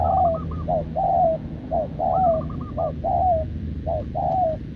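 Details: Spotted dove, short-legged and wild-caught, caged and cooing continuously with a decoy: low paired coos roughly once a second, joined twice by a higher stuttering trill, over low background rumble.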